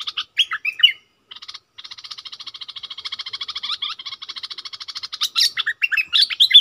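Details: Caged bulbul luring wild birds with warbled notes, then a long, steady, buzzing rattle of rapid pulses, closing with loud, bright, tumbling whistled phrases.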